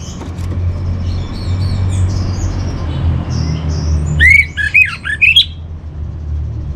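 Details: Orange-headed thrush master song used for training birds: after four seconds of low steady hum, a short burst of bright, clear whistled notes that swoop up and down, loud and close.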